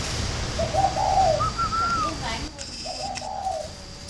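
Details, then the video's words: Spotted dove from a bird breeding farm in Ba Vì district, Hanoi, northern Vietnam: a husky low coo, then a clearer higher slurred note, then another low coo after a pause, with constant faint hiss behind. "chim cu gáy hay miền bắc"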